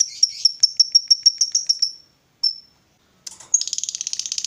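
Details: Caged female fighter lovebird, kept to provoke rivals, rattles out a quick string of shrill repeated notes for two seconds, gives one lone chip after a pause, then bursts into another dense, buzzy high chatter.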